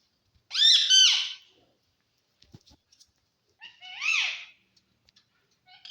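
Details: A talking green parrot kept with budgies in Assam utters two short, harsh, speech-like phrases with rising and falling tone, separated by a pause.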